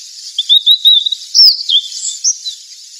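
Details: ['Sulingan or tledekan, the fork-tailed sunbird, sings a rapid run of high, sweet whistled notes. The notes are followed by twisting slurred phrases and scattered thin chirps over a steady high background hiss.']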